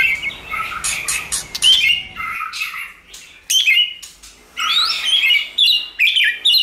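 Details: White-rumped shama song used to excite and train a shama: rich whistled and warbled notes with harsh clicking bursts, a quiet stretch, then renewed tangled phrases.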